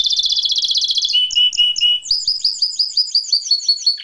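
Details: Singing canary: a fast high trill, a few slower clear double notes, then a run of evenly repeated bright chirps that falls away at the end.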